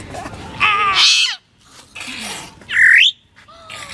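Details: Pet grey parrot copying voices and sounds: voice-like harmonic phrases, then a loud rising-and-falling whistle and a shorter falling whistle, with quiet room noise between.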